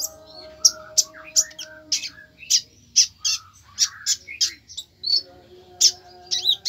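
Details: Fierce konin song: rapid, high, sharp chirps repeated about twice per second with a few softer twitters between them. A steady low hum runs underneath.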